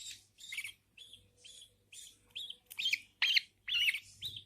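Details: Budgie nestlings, newborn, being fed by the mother bird: a run of scratchy, buzzy chirps that grow louder and more rasping toward the end, spaced roughly half a second apart.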